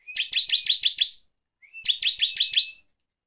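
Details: Gacor ngeplong lure song of a bar-winged prinia, used to rile other birds: two short runs of about six hard, clipped chips, the second preceded by a brief rising thin tone. Silence between phrases.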